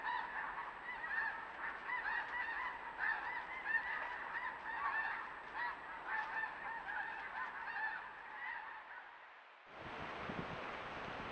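A flock of geese honks continuously, a dense overlapping chorus of nasal calls for about ten seconds, followed by a burst of rushing noise.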